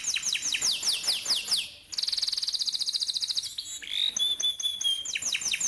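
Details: Canary in full rolling song, used to prompt young canaries to learn: rapid downward-sweeping chirps, a brief pause, a tight buzzy trill, a clear whistled glide, then more fast swept chirps.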